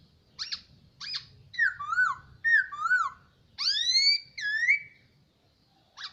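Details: Hwamei kept in captivity for a year sings loud, varied whistled phrases: two short clipped notes, then falling slurred whistles, then a bright rising sweep and a swooping downslurred phrase, ending with one more clipped note.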